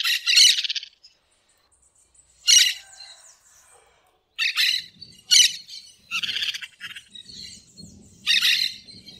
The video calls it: Periquito Cantando na Natureza